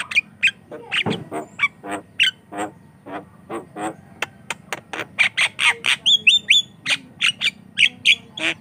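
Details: Javan myna singing, used as a lure and as a training sound for other mynas: a long run of sharp clicking and squawking notes about twice a second, broken by a short series of whistled slurs.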